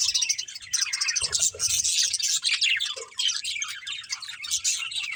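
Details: Budgerigars at play keep up a bright, rapid twittering chatter, many quick high chirps and trills layered together, with a few lower squeaky notes and faint background rumble.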